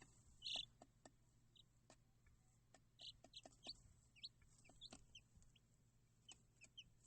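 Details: Chicks of domestic chicken peeping: one loud shrill peep near the start, then many thin, downward-sliding high peeps at uneven intervals, with tapping clicks and a constant low electrical hum.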